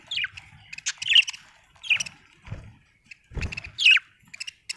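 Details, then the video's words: Chirping from a happy budgerigar: short scratchy chirps and sharp downward notes in separate bursts, with low thumping sounds between them. "Happy budgie chirping sound"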